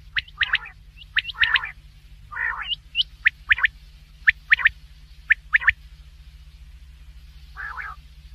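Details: Black francolin giving sharp, clicking chirps in quick pairs and triplets, mixed with rasping buzzy bursts. A steady low hum runs underneath.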